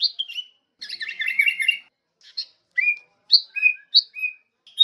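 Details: Sooty-headed bulbul (kutilang) singing: a busy burst of bright chirps and warbled notes, then separate short slurred whistles in quick succession, each note brief and clear against a quiet background.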